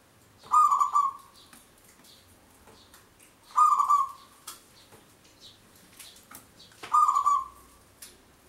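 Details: Local zebra dove singing its long song for luring wild birds: three even cooing phrases about three seconds apart, each opening with a harsh burst of overtones, faint clicks and chirps in the background.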